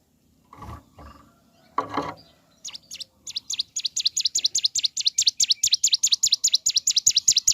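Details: Bar-winged prinia singing in the morning. After two dull thumps, a long burst of rapid, high, repeated chip notes builds in loudness and rushes on without pause to the end.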